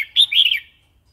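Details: A single short, warbling phrase of the red-whiskered bulbul in the wild-song style (phleng pa) used for training young and wild-caught birds: bright slurred notes rolling downward over about half a second.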